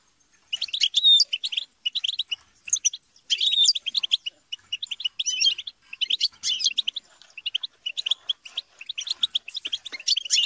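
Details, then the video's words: Several European goldfinches chatter and squabble together to stimulate singing: dense bursts of rapid, twittering, buzzy notes in quick runs separated by short pauses, with occasional clear whistled slurs. "بتبتة وتستسة وشجار الحسون - اقوى بتبتة جماعية لتحفيز الحسون على التغريد - بتبتة وشجار لتحفيز حسونك"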